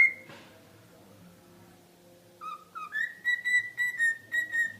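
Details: A pet cockatiel whistles "If You're Happy and You Know It" in clear, pure notes that step up and repeat.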